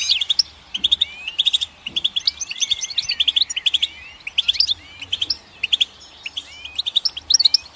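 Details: A goldfinch sings a continuous, jangling twitter of sharp high notes interspersed with curving whistled slurs, phrases coming in rapid bursts across the whole stretch.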